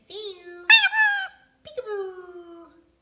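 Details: Talking Green Pied Indian Ringneck, a male of rare colour mutation, playing peekaboo at a mirror: a soft level tone, then a sudden loud, rich, buzzy syllable, a brief gap, and a long, gently descending whistled phrase.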